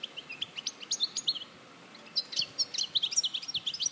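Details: European goldfinch recorded in Larache in 2014, a lively high twittering song of rapid chirps and slurred notes, pausing briefly before resuming more densely.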